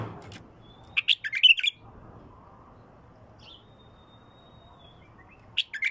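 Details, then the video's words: Bulbul singing clear, pure-throated phrases: a burst of sharp, bright chirping notes, a long thin steady whistle, then another quick chirping flurry at the end, over a quiet low hum. "اجمل مداور لغات بلبل خام حنجره نقيه"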